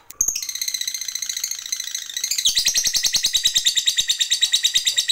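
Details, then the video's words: Long ngekek panjang chatter from a lovebird fighter, meant to provoke rivals: a harsh layered buzz that shifts pitch after two seconds into a rapid pulsing chatter, steady to the end. "Suara Lovebird ini Paling Bagus Buat Pancingan Lawan EMOSI Ngekek Panjang"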